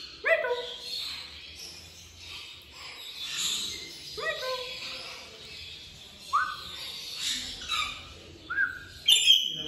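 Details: Talking African grey parrot producing a run of voice-like syllables with sharp downward-sliding onsets, several short rising whistled sounds, and a bright squeaky note at the end.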